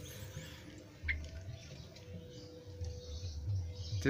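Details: Quiet indoor room noise with low hum, faint speech-like murmurs and a few clicks or drips, with no animal calls.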